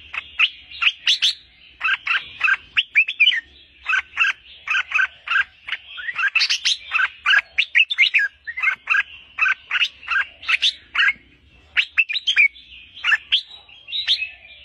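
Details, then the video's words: Hand-tame albino red-whiskered bulbul in full song, delivering a long, nearly unbroken stream of lively chirped and warbled notes. Phrases tumble rapidly with only brief gaps. The background is quiet apart from a faint low rumble. "chào mào bạch tạng cầm tay hót đỉnh của chóp"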